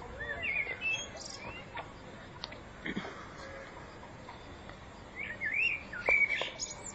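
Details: Common blackbird singing in spring 2014: short fluted, warbling phrases near the middle of its range, one around the first second and a richer run toward the end, separated by soft clicks and quiet background hiss.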